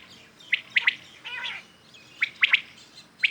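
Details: Common quails calling in the morning: a sharp, liquid three-note 'wet-my-lips' phrase given twice, about two seconds apart, with a softer buzzy note between phrases.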